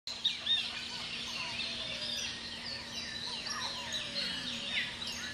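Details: Chestnut-fronted Macaws, a couple filmed in the early morning at Hato El Cedral cattle farm, Venezuela, give harsh, raspy overlapping screeches amid other birds chirping and a low steady hum.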